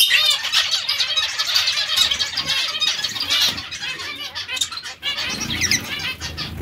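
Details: Continuous twittering of many zebra finches, with nasal beeping calls repeated rapidly and overlapping into a steady high chatter.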